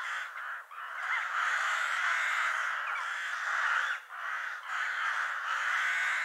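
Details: A murder of crows cawing together: a dense, continuous harsh chorus of overlapping raspy calls with brief dips, many birds at once.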